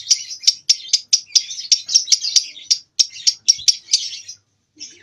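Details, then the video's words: Young lovebird about two months old learning to ngekek, still unable to hold a long run; rapid string of sharp, high chirps, roughly four per second, ending in a brief pause and a final short note. "LOVEBIRD PAUD Nyeklek Belajar Ngekek Latah Mewah"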